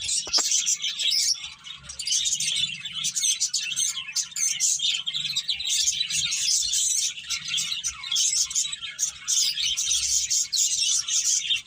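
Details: A group of finches feeding and playing, their rapid high-pitched chirps overlapping into a constant twittering chatter, backed by a quiet low drone.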